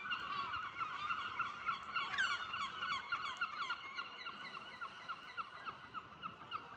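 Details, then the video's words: Many gulls calling at dawn at a caravan park, a continuous chorus of harsh, nasal, mid-pitched squawks and mews, several notes every second. "Seagulls calling"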